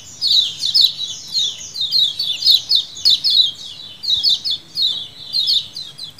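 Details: Lemon-bellied white-eyes calling as a colony, used as a lure bird sound. Overlapping high, sharp descending chirps come in quick bursts of chatter, with short pauses between bursts, from many birds at once.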